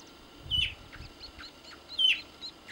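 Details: Andean tinamou (Nothoprocta pentlandii) in Tucumán, Argentina, giving two short, high whistled notes about a second and a half apart, each sliding slightly downward, over faint background hiss.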